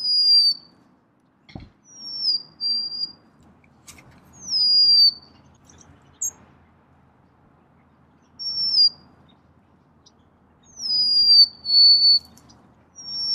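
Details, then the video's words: Golden-crowned sparrow whistling short high descending phrases of one or two notes, repeated several times with pauses between, over faint low background rumble and a single click. "Natural Birds Voice, Bird Natural Sound.Golden crowned Sparrow."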